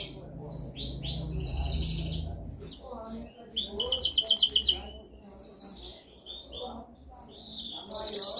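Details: Canary song for training with varied high phrases: short chirps, a dense buzzy trill in the middle, and a loud bright trill at the end, separated by quieter gaps and low background rumble.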